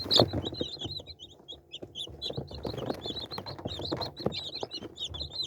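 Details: Chicks give nearly constant high, wavering peeps, many overlapping, over low rustles and occasional knocks.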